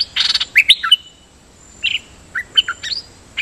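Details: Caged Dok Taeng bird used as a decoy, steadily doubling its notes: a burst of buzzy chatter then sharp chirps, a gap, and a scattered group of bright whistled chirps.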